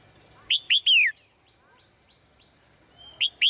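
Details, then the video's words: Caged female bird singing in the morning gives a loud three-note chirp phrase ending in a long falling sweep, then quieter twittering, then two more sharp chirps. "นกตัวเมียร้องเจื้อยแจ้วในยามเช้า , เสียงนกร้องในกรง"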